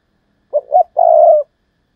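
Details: Spotted dove used as a decoy, calling in the thúc lợi cốt style. Two brief mellow coos lead into a drawn-out, even coo that falls slightly at the end, with a clean, quiet background.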